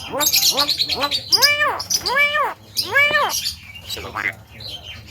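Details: Javan myna, a bird said to mimic coughing, laughing and a guitar, gives a run of loud, harsh, arched notes with rich overtones, repeated roughly every half second, then quieter rasping sounds at the end.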